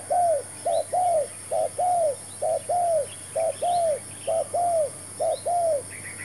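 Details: Spotted dove calling as a decoy during trapping: a steady run of about four phrases of soft, low coos, short notes paired with longer downward-bending ones, repeated almost every second. A constant high insect drone and faint distant chirps fill the background.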